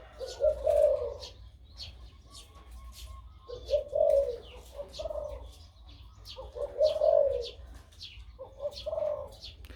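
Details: Four strong, low coo bursts spaced about two to three seconds apart from a big-voiced crossbred dove nearly a year old, singing its 2-3 kuk style while faint chirps sound overhead.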